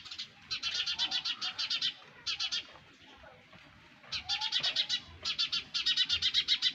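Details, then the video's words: Sparrow babies in a nest call in rapid, harsh chirp trains. These come in several long bursts separated by a quiet gap of about two seconds. "Sparrows baby in nest! | Sparrows Sound Effect"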